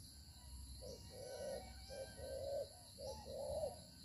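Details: Decoy spotted dove cooing during a trapping session, moving and fighting as it calls; soft low coos in short and drawn-out pairs, partly masked by steady hiss and low rumble.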